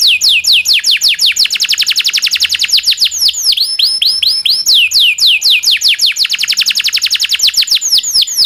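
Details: Domestic canary in a long rolling master song for canary training. Bursts of rapid buzzy trills alternate with sets of separate downward-swooping whistles, all high and loud without a break.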